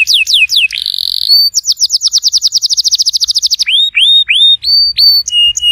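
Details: Canary song played to prompt a silent canary to sing: fast downslurred whistles, a buzzy trill, then a long rapid trill of repeated notes followed by rising upswept whistles, all high-pitched and loud.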